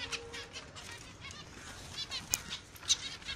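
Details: Finches twitter in short, high, scattered chirps, with two sharp clicking peeps standing out near the end over a soft background hum.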